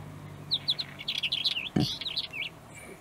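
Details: Northern wheatear in the rural countryside of Ankara, Turkey, gives about two seconds of quick, scratchy, high warbled notes that rise and fall, with a low hum and one dull thump.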